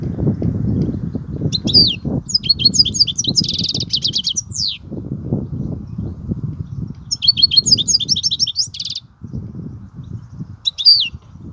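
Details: European goldfinch singing in the kubiya song style: bursts of rapid high twittering and buzzy trilled notes, a short pause, then another twittering phrase, over steady low rumbling background noise.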